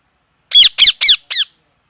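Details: Loud parrot squawks: four harsh, grating notes in quick succession, each sweeping downward, the last one slightly softer and shorter.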